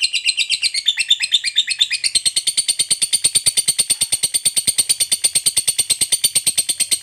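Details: Fighter lovebird in a long ngekek, a very high, rapid rattle repeated about three times a second, rising slightly in pitch after two seconds and holding steady.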